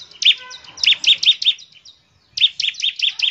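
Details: Rapid, energetic bar-winged prinia song for drawing other prinias into song: high, ringing chirps in quick succession, a short silence, then another fast run.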